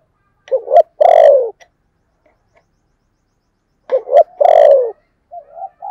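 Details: Spotted dove kept as a lure bird, singing in the 'thổ' voice style: paired short hoots then a long full-throated falling coo, repeated twice about three seconds apart, with a soft extra coo at the end.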